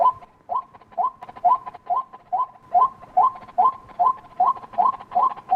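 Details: White-breasted waterhen calling a steady series of short, hoarse clucking notes, roughly two per second, each slightly rising, with faint rustling behind.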